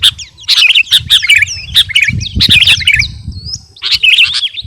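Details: Captive sooty-headed bulbul, the kutilang garuda form, singing in short energetic bursts for training other birds: clusters of quick twittering and whistled notes separated by brief pauses, over an intermittent low hum.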